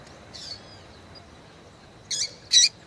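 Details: Female Yellow-bellied seedeater calling to excite males. A soft, faint note is followed by two loud, sharp, high chips in quick succession near the end.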